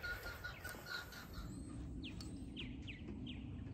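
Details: The first three Purple Martins of the year, scouts just arrived in early spring to check for nesting places. Faint, quick down-slurred chirps come in a loose series over steady wind and outdoor rumble.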